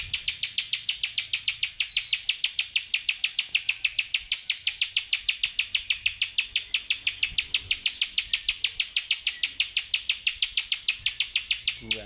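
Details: Spiderhunter in full, lively song, giving rapid harsh chip notes repeated about three times a second in an unbroken, even run lasting the whole recording.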